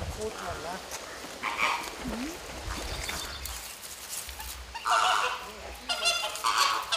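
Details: Purple gallinules, a pair feeding their chicks and working on their nest in a walk-through aviary at Pairi Daiza, give harsh, nasal, honking calls in short bursts, loudest near the start and toward the end, over low rustling.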